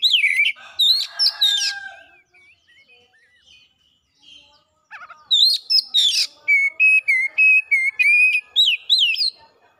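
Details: Energetic lure song from an oriental magpie-robin, showing off varied content: loud whistles and scratchy bursts, a soft stretch of quiet twittering notes, then a burst of repeated clear whistled notes.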